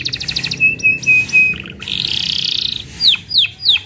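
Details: Canary singing: a steady high whistled note, then a fast buzzy rolling trill, followed by sharp descending whistled sweeps repeated about every half second.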